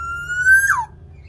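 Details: Javanese black-naped oriole in active song, used to coax caged orioles into singing: a single pure whistle held level and slightly rising, then breaking into a quick falling slur.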